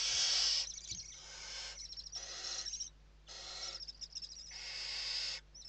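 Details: Evening feeding at a Western barn owl nest in Spain, 29 November 2023: long, rasping hiss-screeches of about a second or more, overlapping into a near-continuous wheezing sequence with a faint high whistle on top.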